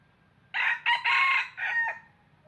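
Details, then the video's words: A decoy red junglefowl used to lure wild birds into traps crows clearly once, four rough syllables with a prolonged third section and short tail, about 1.4 seconds long, over soft background hum. "Tiếng Gà Rừng Mồi Gáy Cực Hay"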